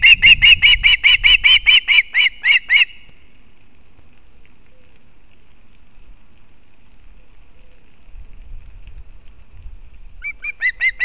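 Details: At a Latvian nest in Kurzeme, an osprey mother brings fish for her chick on 31 August 2024: a fast burst of high, whistled yelps lasting nearly three seconds, then a long quiet spell with low background rumble, and the chirping starts again near the end.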